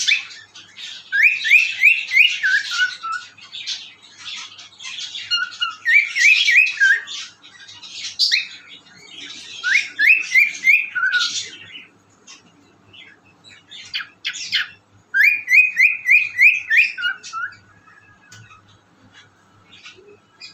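A cockatiel whistles bright, rising and falling phrases, repeating a stepped tune several times.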